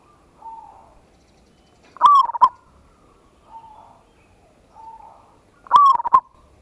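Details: Local zebra dove (perkutut) song used as a lure to provoke a singing response, in the ngayer kerot nutut style: two loud cooing phrases near 2 and 6 seconds, each a rising note then quick stuttered coos, with softer single coos in between.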